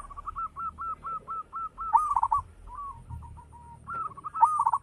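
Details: Local zebra dove singing persistently with a big, rich voice: a run of evenly spaced short coos speeds into rapid rolled trills, then pauses and repeats, with sharp crackles at the loudest moments.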